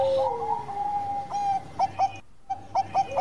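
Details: Zebra dove of the Bangkok type, singing freely, played as a lure for other birds: a long sliding coo, then short bright notes in a quick stuttering series, with a brief gap.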